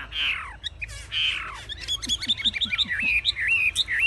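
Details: Chinese hwamei in a cage, performing with high wings and fanned tail and said to fight hard; harsh downward rasping notes open, followed by quick clicks and rising whistled phrases.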